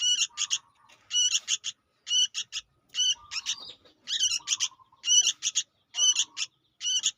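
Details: A young sooty-headed bulbul recorded as a lure produces steady bursts of harsh stuttered notes, about one cluster per second, often ending in a faint lower drawn-out whine.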